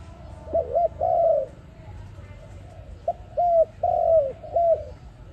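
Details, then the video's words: Dove coos intended to lure birds into a trap. A short hooked note runs into a long coo, then after a pause a second, longer phrase of a few hooked notes and a sustained falling coo. "Sound of ARIMIX dove quality sound to use for trap"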